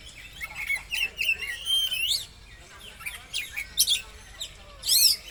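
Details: Oriental magpie-robin (kacer) song played as a lure to make the bird open its tail: sweet rising and falling whistled notes and slurred phrases, then sharp scratchy bursts toward the end.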